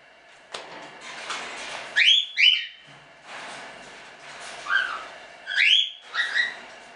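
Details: Standard cockatiels in a small hobby breeding kept as show birds; paired rising whistled calls repeated several times amid soft rustling and clatter.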